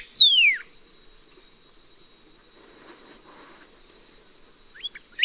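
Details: Northern cardinal at a nest with baby birds, the father cleaning up droppings and coaxing a fledgling to leave; one loud, steeply falling whistled slur, then after a pause a few short, sharp rising chirps, over a thin, steady high insect-like tone.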